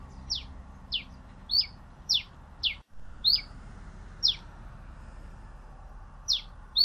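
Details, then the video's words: Pileated Finch (Coryphospingus pileatus) giving sharp, high downslurred chips, one about every half second with uneven gaps, over a steady low background hiss. "Canto del Granero Cabecita de Fósforo"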